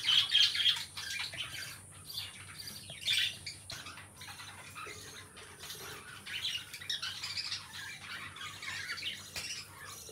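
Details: Two companion lovebirds kept as pets give loud piercing squawks at the opening, then a lively run of rapid, raspy chirps and twitters continuing without pause.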